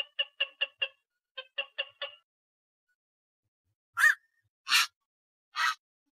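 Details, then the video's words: Night heron, known locally as bakchu or ok, giving three loud, harsh, broad croaking calls spaced under a second apart, after a run of short, evenly repeated clicking notes. "অক পাখির ডাক / বাকচু পাখির ডাক / বাকচো পাখির সেরা ডাক / Night Hiron Bird Call"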